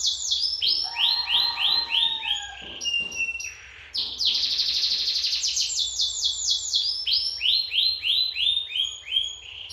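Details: Energetic canary song from Lampung: series of rounded descending whistles, a lower warbled passage, a fast rolling trill, then more repeated sweeping notes about three per second.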